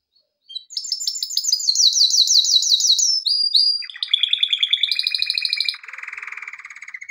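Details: Male canary in training song: rapid rising sweeps repeated in a fast rolling tour, a brief pause, then quick chattering notes, a high trill and a lower buzzy roll that keeps going.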